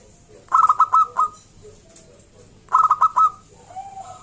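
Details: Singing local zebra dove whose voice is meant to prompt other zebra doves to sing: two crisp bursts of fast, staccato cooing notes, five or six pulses each, about two seconds apart, followed by a soft, drawn-out lower coo.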